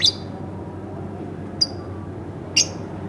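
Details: Pet lovebird at home uttering three short piercing chirps, the first and last louder and buzzier, spaced over about three seconds in a quiet room.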